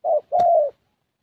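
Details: Young 'thổ' Spotted Dove with a fairly good voice, filmed during a decoy session: one low, mellow coo phrase, a brief opening note followed by a longer, steady, slightly falling hooting note, with a faint click.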